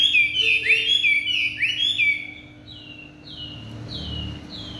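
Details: Chinese hwamei in evening song: loud, rich warbled phrases at first, giving way to softer, evenly spaced downward-sliding whistles over a low background rumble.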